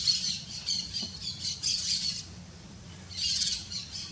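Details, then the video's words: Three red-legged seriemas, free in nature while sunbathing, calling together in loud, harsh, yelping bursts that swell and fade in overlapping rhythm, with a low rumble beneath. "Lindas seriemas vocalizando (TRIO)"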